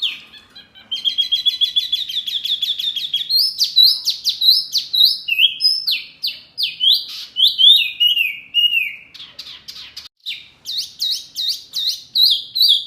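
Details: Songbird training audio meant to make healthy caged birds answer: a rapid chattering run, then varied loud whistled slurs, rising and falling phrases and sharp repeated notes, with no other sounds.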